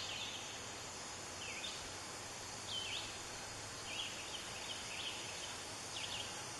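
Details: A Red-shouldered Hawk chick, fed a lizard by its parents at the nest, gives thin, high squealing notes, about five at irregular intervals, over a steady background hiss.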